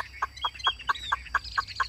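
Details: Caged Chinese hwamei singing in the 'ngũ trường' style: a rapid series of sharp, evenly spaced chuck-like notes, about four per second, with thin whistled slurs running above them.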